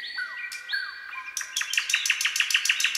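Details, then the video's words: Common nightingale singing at night in a forest: a few clear, falling whistled slurs, then a fast, loud run of sharp repeated notes, about six each second; no other sounds. "Nightingale Singing"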